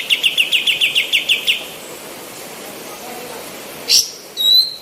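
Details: Female white-eared bulbul, whose recording serves to train other birds, producing about eleven rapid, sharp chirps at a high even pitch, then a pause and a loud thin note with a drawn-out high whistle.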